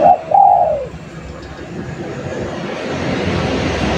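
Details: Spotted dove in active song, a lure call: one quick low coo followed by a longer drawn-out falling coo at the start, then only a steady noisy background hum.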